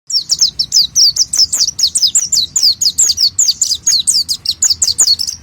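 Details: Oriental white-eye, known as pleci, in a rich song: fast continuous run of high, sweeping whistled notes, about five per second, each slurring up or down, bright and unbroken for the whole stretch.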